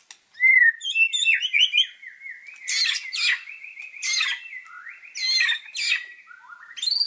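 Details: White-rumped shama singing energetically, used to train other songbirds: clear whistles and quick twittering notes, then loud sharply descending sweeps alternating with lower sliding whistles, repeated in varied phrases.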